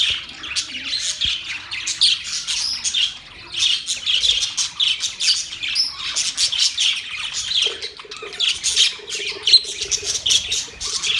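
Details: Dense budgerigar chatter of rapid chirps and scratchy warbles, with a steady low hum joining in the second half.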